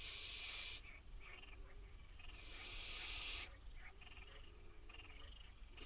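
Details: Hungry wild barn owl fledglings at a nest box in Israel beg for food with harsh, drawn-out hissing screeches. Three broad rasping bursts come in six seconds, the middle one longest, with soft noise between them.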